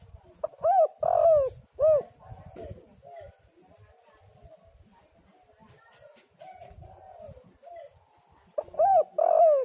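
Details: Spotted dove call meant as a lure to make doves sing: clear, loud, arched coos in a quick phrase at the start and again at the end, separated by a long quiet stretch with faint softer coos.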